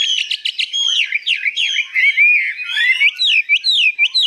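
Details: Caged hwamei, 85% tame and just arrived, singing high in long phrases. Fast stuttered notes open into a continuous stream of sweeping whistled slurs and quick rising-falling figures, loud and varied throughout.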